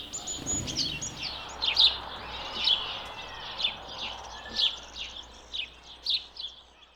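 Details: Wild house sparrow giving a run of sharp, bright chirps, about one each half second, uneven in spacing, with soft outdoor background noise.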